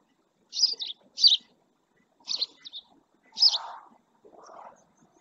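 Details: At El Rocío marsh in Spain's Doñana National Park, a resting male house sparrow utters paired and doubled chirps, some with a trailing second note, followed by two softer, lower murmuring sounds.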